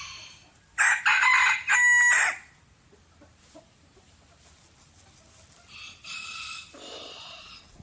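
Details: A loud rooster crow with a sharp onset and a held middle section, then quiet, then a second, more distant crow that ends in a lower, rasping tail.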